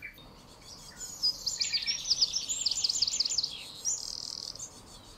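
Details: Great tit chicks that have just left the nest beg their parents for food in very high, thin, rapid chittering bursts of about two seconds, followed by a briefer burst, over faint background hiss.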